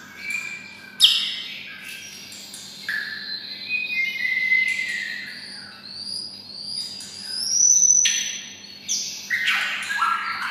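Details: White-rumped shama housed near red-whiskered bulbuls sings bulbul-like: pure drawn-out whistles at varying pitch, some sliding, separated by short pauses, with sharp accented notes and a low background hum.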